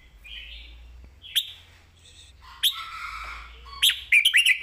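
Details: Red-whiskered bulbul singing a master-pattern song: soft slurred whistles, then louder rich warbling phrases and a burst of bright notes near the end.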